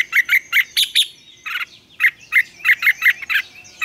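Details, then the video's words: Red-whiskered bulbul morning song, double-note wild style, recorded as a training lure: a fast, steady series of clipped, chirping whistles repeated several times a second with one short gap. "luyện chào mào hót sáng, Ép chào mào hót âm kép già rừng hay tuyệt!"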